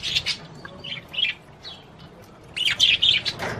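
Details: Budgerigar warble meant to arouse a female for mating: squeaky chattering phrases, a quieter gap, then a louder buzzy burst at the end.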